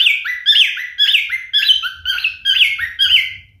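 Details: A singing male pet cockatiel repeats raspy chirped notes that drop sharply in pitch, roughly two per second, in a steady rhythm.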